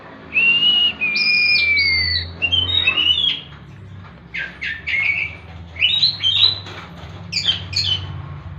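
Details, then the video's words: Oriental magpie-robin giving 'tembakan' song. Long level whistles slide gently down, followed by quick varied chirps and upward-sweeping whistled notes in short bursts separated by brief pauses. Low background hum throughout. "Tembakan burung kacer"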